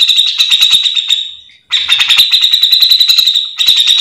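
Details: Grey-cheeked bulbul (cucak jenggot) recorded as a training or lure song for its own kind: loud, rapid, buzzy rattling trill, a brief pause, then the trill resumes, with another short gap near the end.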